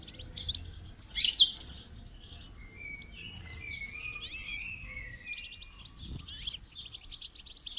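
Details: Goldfinch singing during song training: a loud burst of chirps early on, followed by clear whistled tones mixed with buzzy trills and fast twittering, over low background noise.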